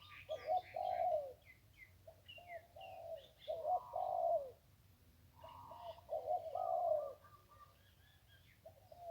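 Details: Zebra dove by the Ping River giving its one-kuk song style: low rolling cooing phrases repeated about every two seconds, with higher chirps and whistles of other small birds above.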